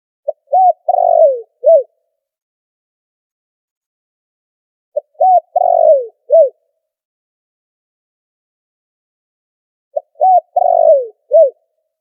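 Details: Spotted dove lure call used for trapping, recorded with background noise filtered out: a low cooing phrase of a few short notes and one longer falling coo, given three times about every five seconds, with silence between phrases.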